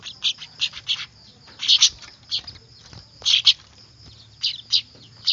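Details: Weaver (manyar) chicks calling noisily, used as a lure: groups of two or three harsh, shrill chirps in quick succession, separated by brief pauses, over a thin background whine.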